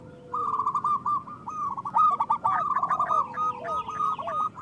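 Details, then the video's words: Zebra doves of a local kind calling loudly, meant to draw wild doves for trapping. A steady low hum runs beneath continuous overlapping trilled coos and curling lower notes from several birds. "Perkutut lokal gacor Suara Besar Pancingan Untuk Pikat dan Malas Bunyi"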